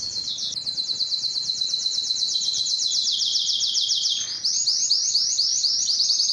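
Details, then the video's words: Spanish Timbrado canary song; a long continuous metallic trill on a steady pitch, then a faster series of repeated chirping notes, about nearly three per second. "canary singing timbrado"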